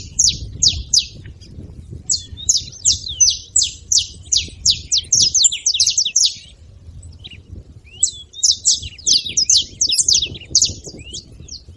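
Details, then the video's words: A group of saffron finches calling: bursts of rapid, high, clipped chirps overlapping one another, a quieter gap around seven seconds, then another busy flurry. "canários da terra fazendo barulho"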